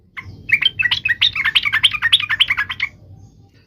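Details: A single continuous burst of quick, tumbling, bubbly sooty-headed bulbul notes lasting about three seconds, over faint low hum; meant to prompt other trucuk birds to sing.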